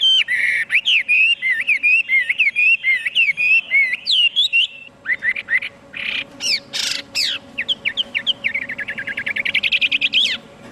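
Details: Chinese hwamei pouring out a fast, continuous song of rapid rolling whistled notes, a short pause, then sharp loud downward sweeps and a quickening run of bright repeated notes at roughly three or four per second.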